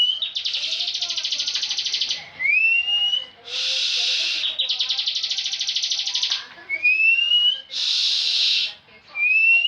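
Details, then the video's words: Ngebren-style song from a bar-winged prinia kept for singing contests: rapid pulsed buzzing trills of about two seconds, separated by thin rising whistled slides, delivered without pause. "Ciblek ngebren full"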